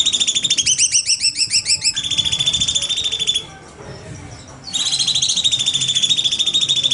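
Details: Bulbul known locally as cucak cungkok, singing 'nembak' for tutoring other birds: fast sweeping trilled notes that turn into a steady high rattling series, a short quiet pause, then more rapid bright trilling.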